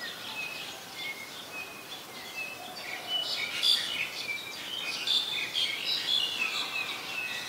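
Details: Black-collared starling, also called Black-collared myna, in Ubon Ratchathani, Thailand, 12 July 2020: a chattering series of high whistles, squeaks and short slurred notes, growing louder and busier midway, with steady background noise.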